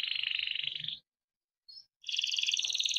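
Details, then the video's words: Timbrado canary song for training, made of rapid rolling trills: a steady trill, a brief high note after a pause, then a richer, louder rolling trill. "Timbrado canary singing beautiful melodic songs for training and listening"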